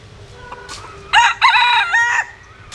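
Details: Crowing bantam rooster of mixed Japanese and Cuban bantam lines: a strong, raspy, ringing crow of about one second in two loud bursts, the second held and then falling away, over quiet background hum.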